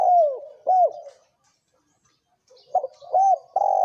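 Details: A spotted dove pair calls in the thổ kim cooing style used to lure wild doves: two strong, bowed coos, a pause of silence, then a fresh run of clipped coos.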